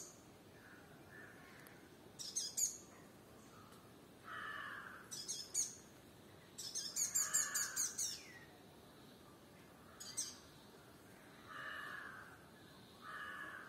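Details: Sunbird on a firebush in Kerala: bursts of sharp, very high chipping notes in quick runs, repeated several times, with a lower, steady whistled note from another bird between them.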